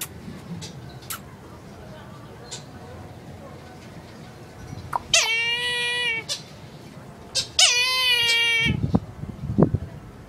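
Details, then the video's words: Two long, nasal, meow-like wails from a Philippine eagle, each about a second, holding steady then sagging at the end; faint knocks and rustling between. "Funny sound made by Philippine eagle"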